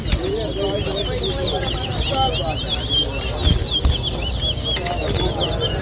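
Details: Towa towa, the chestnut-bellied seed finch, in a 2023 whistling competition at Lusignan, Guyana: a long run of quick, high, sweet whistled notes, with scattered sharp clicks, fluttering and background murmur.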